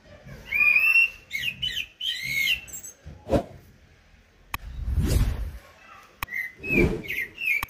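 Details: Common blackbird delivering loud warbled whistles and slurred fluty phrases, broken by sharp clicks and a couple of dull thumps, before more whistled phrases resume.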